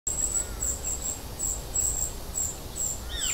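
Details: Immature common cuckoo, raised by a vinous-throated parrotbill host that brings it food; thin, very high notes repeated about twice a second, with a brief sweeping chirp near the end.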